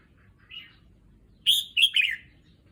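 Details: Red-whiskered bulbul kept in a cage, newly moved and adjusting to a new home, sings a brief soft note followed by a bright burst of three rapid whistled notes falling at the end, against faint low hum.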